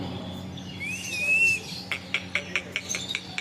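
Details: Talking parrot giving a smooth, wavering whistle, followed by a series of sharp clicks, about five per second, over a low steady hum.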